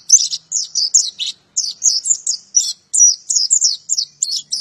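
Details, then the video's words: Cage-kept oriental white-eye delivering a training song for other songbirds: continuous high, sweet twittering phrases of quick slurred notes, broken by brief gaps, steady and loud with no other sounds. "Kicauan burung pleci cocok untuk masteran gacoan anda"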